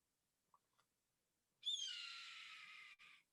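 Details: A red-tailed hawk gives one long, hoarse, rasping scream slurring slightly downward over about a second and a half, after a few faint clicks; it is the call often dubbed over bald eagles in TV commercials.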